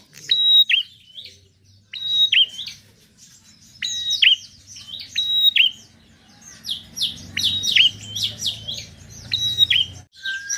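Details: Bar-winged prinia in continuous, chattering song, used to coax reluctant birds into singing: sharp high chip phrases repeated roughly every second, quickening into dense bursts toward the end, over a faint low hum.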